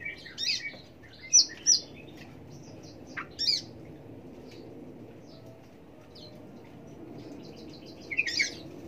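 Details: Australasian bushlark giving scattered high chirps and short twittered phrases separated by pauses, a brief burst of notes near the end, quiet background.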